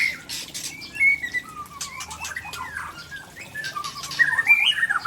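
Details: Aceh white-rumped shama of Tangse stock singing rare fill-ins: short whistles and scattered chips, building near the end into a dense burst of rising slurred notes over soft noise.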